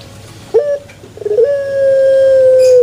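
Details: Pelung chicken crowing: a sharp first note, a pause, a rapid stutter of pulses, then a prolonged level tone that drops slightly at the close.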